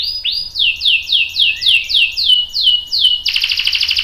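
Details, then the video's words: Canary song that sets a young male answering: a run of repeated falling whistled notes about four per second, then a sudden switch to a dense, buzzy, rapid rolling trill. "KENARI GACOR cuit cuit NGEROL bikin PAUD ikut NYAUT jadi BUNYI | CANARY SINGING"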